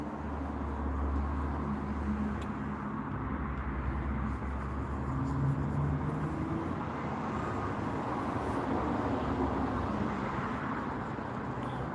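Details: Steady low rumble of traffic and passing vehicles outdoors, with no animal sounds.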